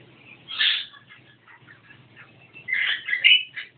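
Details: Bursts of "gacor" song from a Javan myna: one loud, harsh squawky phrase, soft scattered chatter, then a longer strident sequence ending in a whistled squeal.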